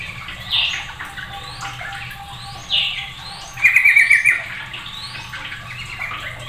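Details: Sooty-headed bulbul singing noisily and setting off other birds: scattered bright chirpy phrases, then a quick run of six sharp repeated notes, with a steady low background hum.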